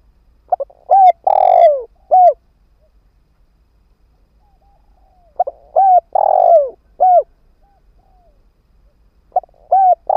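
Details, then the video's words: Lure spotted dove used as a ground decoy for wild birds repeats its call three times over ten seconds. Each phrase has clipped opening notes, a hollow hoot, a long harsh downslurred coo and an ending hoot. "Tiếng chim cu mồi đất kích bổi hiệu quả"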